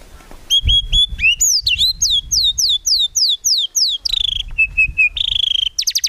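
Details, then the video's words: White-rumped shama in full song, used as a training recording for songbirds, packed with 'tembakan' fill and free of 'ngukluk' notes. Clear whistled notes, slurred downward sweeps repeated in a series, a steady held whistle and fast trilled notes. "MURAI BATU GACOR FULL ISIAN TEMBAKAN MEWAH GAK ADA NGUKLUK NYA"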